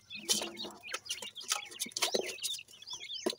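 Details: Grey francolin chicks feeding: quick high chirps and short rising peeps, several overlapping, mixed with scratchy bursts of rustling noise.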